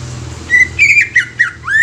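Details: Greater green leafbird song: a run of loud, clear whistled notes near one pitch, some sliding and bending, ending on a rising slurred whistle. A low steady hum lies underneath.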